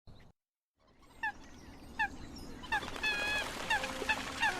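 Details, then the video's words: Common coot calling the flock: short, nasal, downward-slurred notes repeated about once a second, faint at first and then louder and more frequent over a steady hissing background. "tiếng chim sâm cầm gọi bầy"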